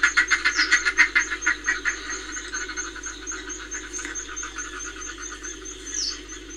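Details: Northern fulmar at Reykjavik, Iceland, 25 April 2024, giving a fast, rasping cackle of pulsed notes that is loud for two seconds, then fades, with thin high whistles from another bird in the background.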